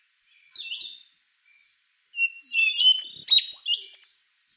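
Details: A rufous-brown solitaire sings a faint slurred whistle and soft notes, then a loud, busy phrase of high squeaky swoops and sharp metallic notes.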